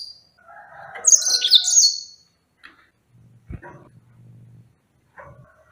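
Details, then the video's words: A yellow-fronted canary gives one loud, high, trilling phrase of quick descending notes over lower twittering, followed by a low steady hum and faint clicks. "Enchanting Sounds Tropical Bird Calls to Relax finch Serinus mozambicus"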